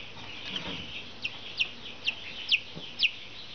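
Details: Brahma chicken chicks: a series of short, high, downward-sliding peeps, about one every half second, standing out over a soft background chatter of other chicks.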